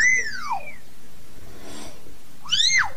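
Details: Two loud arched whistles from a common hill myna calling its flock, separated by a soft breathy noise, with rich overtones above each whistle.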